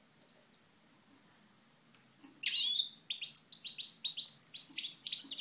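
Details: Goldfinch from Moknine, 2012, silent at first apart from a few faint chirps, then bursting into quick, liquid twittering with repeated rising buzzy notes for about three seconds.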